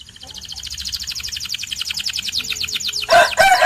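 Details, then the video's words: White canary song: a long, rapid, high trill of evenly spaced notes, broken at the end by harsh, loud, noisy bursts. "The Best White Canary's Singing"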